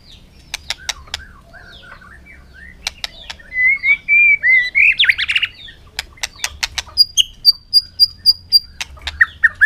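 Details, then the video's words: White-rumped shama singing in a contest in the afternoon sun: scattered sharp clicks, a warbled whistled phrase with a buzzy burst, then a line of evenly spaced high pure notes and more clicks. "chòe lửa căng lửa hót đấu siết nắng chiều"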